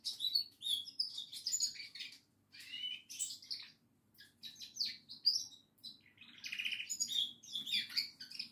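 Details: Singing goldfinch, quieter and slightly distant, giving fast tinkling twitters and buzzy trill fragments in irregular bursts with brief gaps, over a faint low hum.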